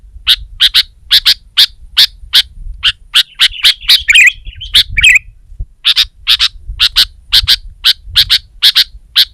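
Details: Sooty-headed bulbul challenging a rival with persistent loud, sharp chirps, a little over one per second, broken by a scratchy warbled phrase near the middle; soft low hum behind.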